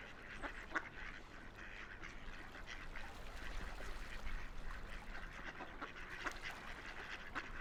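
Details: Ducks floating and playing on a quiet river, giving soft, rough quacks scattered through the recording over a steady low rumble of flowing water.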